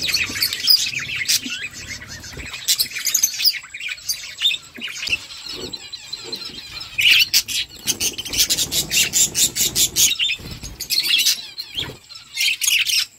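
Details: Budgerigar flock feeding: continuous high scratchy chirps and squawks, growing into rapid, pulsed bursts of chatter in the second half, with short pauses between bursts.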